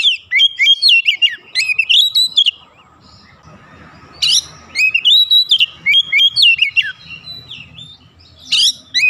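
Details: Agitated Oriental magpie-robin, provoked to sing its full repertoire: rich whistled phrases with rapid upslurs and downslurs, bursts of harsh notes, a quiet gap in the middle, then singing resumes strongly.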